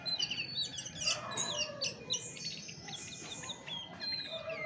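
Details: Dense, loud song from a chestnut-backed thrush, a rapid medley of high whistles, down-slurred notes and chattering trills in tight succession, with faint low hum beneath.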